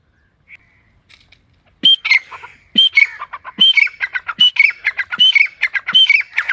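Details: After a near-silent opening with faint notes, a forest partridge starts a loud series of rasping, chattering phrases, each topped by a shrill whistle and repeated at a steady pace of under a second.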